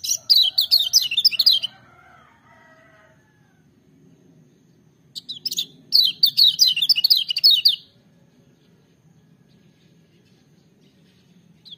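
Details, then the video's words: Lemon-bellied white-eye belting out strong, ringing song: quick runs of thin, high, zigzagging notes in two main bursts separated by a few seconds of faint murmuring, ending quiet. "Kecial Kuning joss gacor menggelegar tapi merdu"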